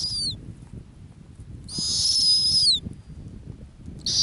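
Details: On the Arctic tundra a nesting female snowy owl utters a shrill, strained whistle lasting about a second and falling at its end, with fragments of similar calls at the start and close, over soft low background noise.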